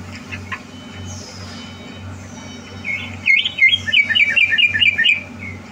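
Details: Captive greater green leafbird, readied for a song contest, 30 November 2022; near-silence with a faint hum at first, then a quick run of bright, rising whistled notes repeated in close succession during the last seconds.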